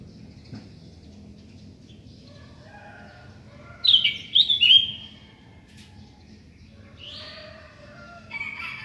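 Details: Sooty-headed bulbul in the morning, silent at first, then a burst of three loud, quavering whistled notes about four seconds in. Softer whistled phrases follow near the end.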